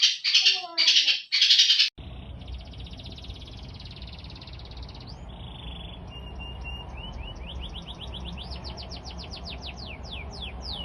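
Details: Masteran birdsong played to draw answering calls from other birds: a loud, harsh chattering burst for two seconds, then softer, fast rising whistled sweeps repeated about every half second over a low hum.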